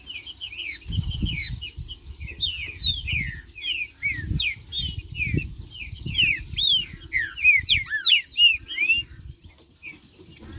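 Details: Green-winged saltator song in the marcheando style, a busy stream of short curved whistles and slurred chirps in irregular clusters, with dull low thumps and knocking sounds underneath.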